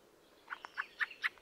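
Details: Fieldfare, a thrush of northern European woodland and scrub; a quick series of five harsh, squeaky chacking notes about a quarter second apart, rising in loudness, against a quiet background.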